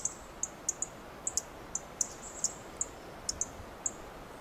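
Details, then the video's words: Dark-eyed junco on a twig in a Coast Live Oak tree making quick, high-pitched ticks, about three each second, some doubled, over a quiet background. "Dark-eyed junco makes chip calls"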